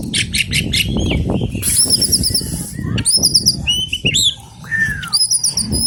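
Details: Oriental magpie-robin, known locally as kacer alas, giving scratchy bursts, clear repeated whistles and a falling slurred note amid loud rustling and flapping noise.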